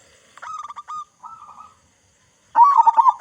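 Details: Zebra dove of local stock with a big voice, used to prompt other doves to sing: clipped staccato notes and a softer coo, a short silence, then a loud rolling, bubbling coo.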